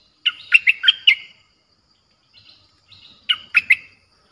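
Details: Fierce Streak-eared bulbul song played to attract wild birds: a phrase of five quick bubbly chirps, faint soft notes in a pause, then a three-note reply phrase.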